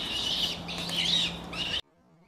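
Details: Black sparrowhawks, adults and juvenile birds around 76 days old during a morning hunting lesson; loud, shrill, rasping squeals run together for nearly two seconds, then cut off abruptly.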